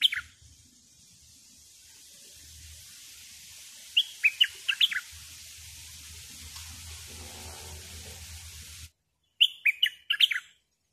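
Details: Decoy bulbul singing two short bursts of quick, falling whistled notes several seconds apart, with a steady low rumble and faint handling noise between them.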